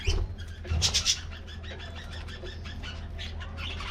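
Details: Colorful budgies in a colony aviary getting a morning treat: a few sharp, bright chirps up front, then steady low-level twittering of many birds over a constant low hum.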